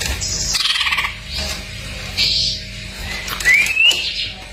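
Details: Greater green leafbird singing a masteran full isian sequence: harsh buzzy high bursts, a pulsed rattle, then a clear rising whistled slur, all with a faint constant hum in the background.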